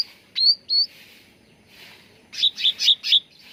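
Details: Sooty-headed bulbul training lure to bring birds into song: two clear, high, slurred whistled notes, then a quick run of four buzzy chirps after a quiet gap.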